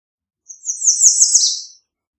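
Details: American redstart, one very high, thin, wavering phrase of sliding notes lasting just over a second, with nothing else heard.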